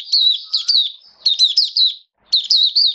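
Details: Caged Oriental white-eye (mata puteh) singing in 'buka sing raja' style during wet rainy weather, September 2022: three bursts of high, rapid, sweet warbling twitters, each about half a second long, separated by short pauses.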